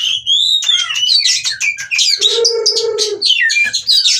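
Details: Oriental magpie-robin in breeding condition, wanting to mate and singing in the 'ngobra' style: rapid, varied whistled and buzzy phrases high in pitch, with a steady harmonic buzzing note midway and a faint low hum beneath.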